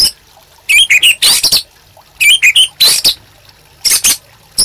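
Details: White-rumped shama master song for training caged birds: three bursts of bright, buzzy, high whistled notes, each lasting under a second and separated by short pauses.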